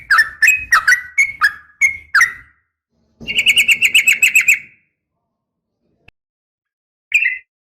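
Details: Female sooty-headed bulbul calling to provoke males, 'uplik tarung' type: a burst of quick slurred chirps, a pause, then a fast even rattling trill of about a dozen notes, silence, and one last short chirp.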